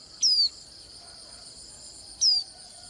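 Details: Swinhoe's white-eye singing, its voice called pleasant: two thin, high, clear notes that slide downward, about two seconds apart, over a steady high insect drone.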